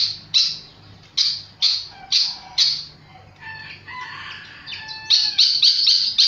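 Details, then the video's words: Flycatcher in lively song: a series of sharp, high descending notes about half a second apart, a softer passage of varied whistled warbles, then a fast run of bright clipped notes. "Burung sikatan sangat gacor"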